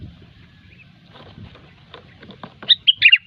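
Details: Sooty-headed bulbul in the gecor song style used to lure birds: faint low murmuring, then one quick burst of bright, slurred whistled notes at the end.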